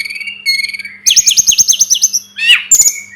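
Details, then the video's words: Sunda robin song for a tutoring track: two steady whistled notes, then a rhythmic burst of about ten fast repeated high chirps, followed by a buzzy descending slur and a last short whistle. "Masteran burung tledekan gunung || burung sulingan gunung"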